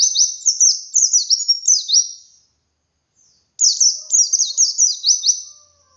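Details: Wild pleci singing, used to stimulate captive birds into song: two long bursts of quick, high, sliding twitters with repeated downward slurs, a pause of about a second between them.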